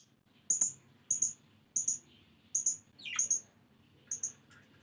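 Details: Pet budgerigars playing outside their cage give high, sharp double chirps, repeated in quick bursts about every second.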